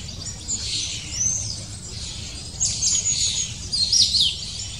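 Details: Long-tailed tit adults busily bringing food to chicks nearly ready to leave the nest; thin, very high chirps and short sharp notes in scattered bursts over steady soft background hiss.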